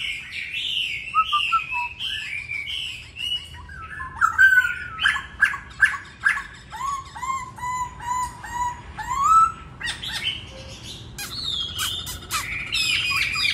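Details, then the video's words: Masked laughingthrush singing in the "Bắt cô chói cột" style: loud, varied whistled phrases, slurred notes and sharp chirps, with a run of steady low whistles in the middle and bright high notes near the end. "Khướu hót Bắt cô chói cột"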